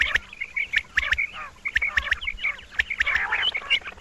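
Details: A female quail calling at night, as used for hunting, gives quick, high, chirping notes in rapid runs, several each second, broken by sharp clicks and a faint steady hiss.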